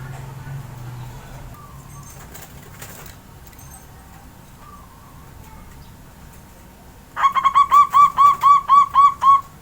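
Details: Caged local Javanese zebra dove sunned in the morning after bathing: after several seconds of background hum and faint noises, a rapid run of clipped, ringing coo notes, about four per second, starts near the end.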